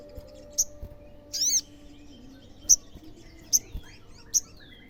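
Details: Olive-backed sunbird, played to provoke other sunbirds into answering: sharp high chips roughly once a second, one louder buzzy rising-falling note near the start, faint hum beneath.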